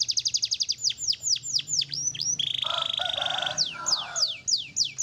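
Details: Black-red canary in song: rapid trill, then deep downward-swooping whistles, a sustained buzzy rolling trill, and more swooping notes to finish.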